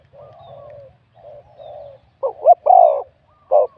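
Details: Spotted dove, a wild-caught contest bird with a medium-to-large voice. Soft, low wavering coos build into louder, rough, clipped notes and a strong falling coo near the end.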